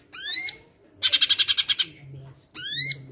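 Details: Cucak ijo of the Medan type singing a training recording filled with mimicked sparrow calls: two loud rising whistled sweeps with bright overtones frame a quick burst of about nine sharp, even chirps.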